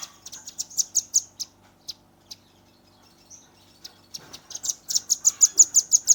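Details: Shooting-style song of a young velvet-fronted nuthatch, phone recording: quick high trilled ticks at first, a pause with a few isolated chips, then a loud accelerating burst of piercing repeated notes.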